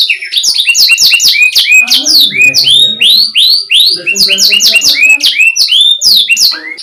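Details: Canary tutor song for young or stalled canaries: rapid downslurred chips and longer rising whistles, with a faint low murmur underneath twice.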